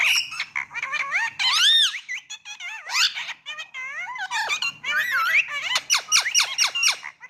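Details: Talking Indian ring-necked parrot in a small room, producing rapid squeaky, warbling imitation phrases with swooping tones and quick chatter, nearly continuous over several seconds.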